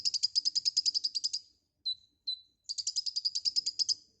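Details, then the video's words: A chatty white-rumped shama song: a quick stuttering high trill, two clipped falling whistles, then another rapid pulsed trill of more than a dozen notes. "Suara burung Konin GACOR FULL ISIAN"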